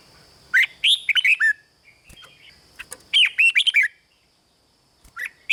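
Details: Caged red-whiskered bulbul song intended to make other birds lively: two rapid phrases of sweet, slurred whistles about two and a half seconds apart, a third starting at the end, with scattered clicks between.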